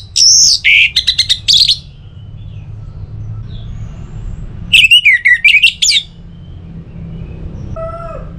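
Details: Song of an orange-headed thrush meant to stir other birds to sing: two varied phrases of rapid, ringing, high notes with buzzy twists, several seconds apart, over low background rumble, plus a faint short note near the end.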